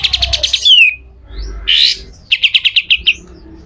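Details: Pied triller song in the harsh besetan kasar style, a master track for other birds: quick series of sharp notes ending in a falling slur, a rasping burst, then another brief run of clipped notes.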